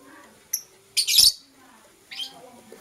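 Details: Blue opaline and euwing opaline lovebirds in the morning, kissing; one thin high chirp, then a loud harsh squawking burst, followed by a shorter scratchy chirp.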